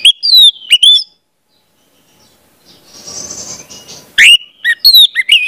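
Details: Lure song of the orange-headed thrush for teaching juveniles: two loud sliding whistles, a silent stretch, a soft hissing passage, then renewed sharp, clipped whistled notes.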